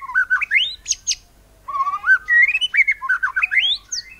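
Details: White-rumped shama singing to provoke other birds, 'nembak cungkok cililin' style: rich, varied fluty phrases that climb and dip, with a couple of sharp high chips and a short pause midway.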